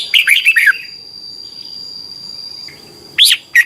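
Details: Red-whiskered bulbul song, played in Thailand so young birds can copy it: one fast run of four warbled whistles, a long quiet gap, then the start of another phrase. A steady high whine runs throughout.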